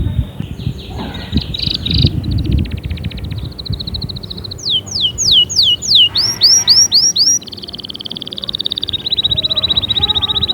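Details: Singing canary used as motivation for other canaries: short trills, a run of rising looped whistles, then bouncy curled notes, finishing with an extended fast, even trill, over faint low noise.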